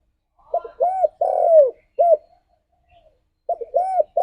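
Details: Spotted dove cooing, played to spur a kept bird to sing daily; low soft mellow coos in a stuttering phrase, a short note, two rounded notes and a long drawn coo, then the pattern begins again after a pause.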